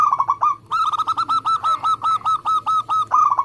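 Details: Local zebra dove of competition style giving lure song: a steady series of clipped, ringing cooing notes repeated rapidly and evenly, with a brief pause before the run resumes.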